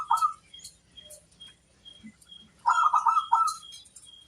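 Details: Local zebra dove song for luring other doves: a brief coo, faint high chirps, then a cluster of rapid trilled coo notes with scattered higher twitters.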